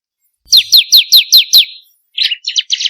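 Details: Bar-winged prinia lure recording for training kept birds: six sharp, high downslurred notes in quick even succession, followed by a few softer, buzzier chirps.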